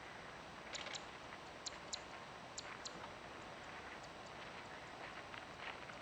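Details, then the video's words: Zitting cisticola, which has distinct calls when perched or descending versus rising and in flight, over grassland, giving sharp, dry, high clicks in loose pairs, roughly one pair per second, fading later, over steady hiss. "セッカ・２つの鳴き声 Fan-tailed Warbler"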